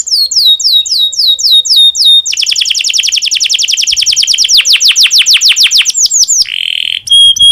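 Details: Singing canary in breeding condition, played to encourage other canaries to sing: paired whistled notes repeated, a long rapid rolling trill, and a buzzy ending with sharp notes.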